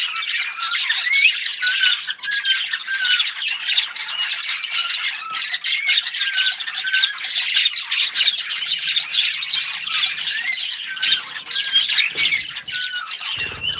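A cockatiel sings a steady stream of bright whistles mixed with harsh squawks and chatter.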